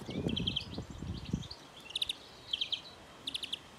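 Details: Young greenfinch during trapping; rustling at first, then short bursts of three or four rapid ticking chirps, repeated about every half to three-quarter second.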